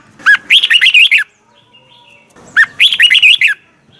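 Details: Red-whiskered bulbul giving morning song in the 'giọng kép xoắn' double twisted style, recorded in 2020 as training audio for other bulbuls: two quick warbled, whistled phrases of rapid rising and falling notes, about two and a half seconds apart.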